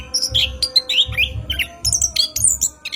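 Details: Orange-headed thrush singing at night, used as a lure recording to train cage birds: a fast, varied string of high whistled and slurred notes, with a steady low rhythmic thumping underneath.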